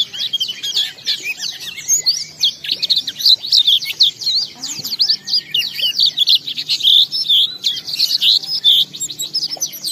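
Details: Oriental white-eye delivering a loud, continuous ngalas song meant to stir other white-eyes to sing with open beak. The high, scratchy chatter of fast, tumbling chirps and slurs runs without pause.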